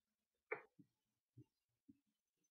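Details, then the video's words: A great blue heron gives one harsh, rasping croak, followed by a few soft, low knocks in an otherwise quiet setting. "Great Blue Heron"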